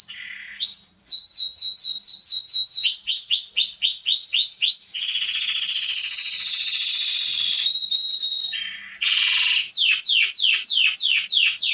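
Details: Canary (Serinus canaria) performing training song for young birds: evenly repeated downslurred whistles, a long loud buzzy roll lasting about three seconds, a brief pause, then more sweeping repeated notes.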